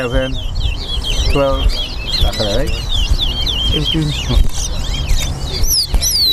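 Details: Chestnut-bellied seed finch (Sporophila angolensis) sings rapid, sweet, high, twisting warbled whistles almost continuously during a towa towa bird singing race at a Lamaha and Vlissengen Road bird ground in Guyana, with men's voices and crowd chatter underneath.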